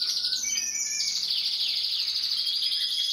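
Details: Gloster canary song, starting with a few quick rising whistles, then flowing into a long, dense, high rolling trill that barely pauses.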